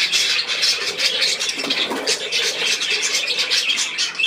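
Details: Brief burst of budgerigar chatter indoors: rapid, overlapping high chirps and squeaky squawks, steady throughout.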